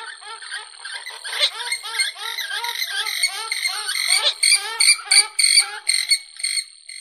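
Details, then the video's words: Purple swamphen call used for bird hunting: a rapid run of nasal, harmonic squawks, two or three a second, loudening toward the end over a steady high electronic whine. "কালিম পাখির ডাক"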